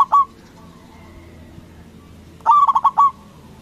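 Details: Indonesian local zebra dove with a big voice, used to bait other doves into answering: one short opening note, then after a pause a full phrase of quick, throbbing coos ending in a longer held tone.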